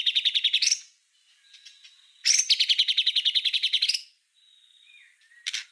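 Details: Master-style white-rumped shama singing, meant for tutoring other songbirds: fast, buzzy high rattling trills of evenly repeated notes, separated by soft thin whistles and brief gaps.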